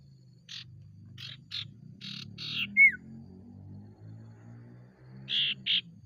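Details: Lure recording of an ashy tailorbird in full song (ngriwik, nyiul, ngeplong): rasping, buzzy notes in small clusters, one sharp down-slurred whistle, then a pause and two more buzzy notes, over a steady low droning hum.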